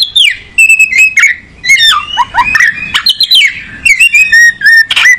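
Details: Kacer (oriental magpie-robin) song of rising and falling whistled slurs, harsh squawk-like notes and clicks, rapid and varied, with brief gaps between bursts.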